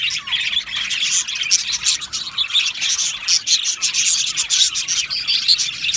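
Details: Aviary flock of budgies singing and chirping: a busy, scratchy chorus of rapid high chirps and squeaky warbles from many birds, steady and unbroken.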